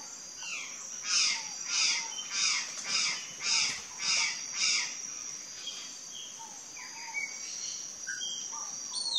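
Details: Curl-crested jay calling with a run of seven harsh, raspy notes at an even pace, then falling quiet while soft whistles of other birds continue under a steady high insect buzz.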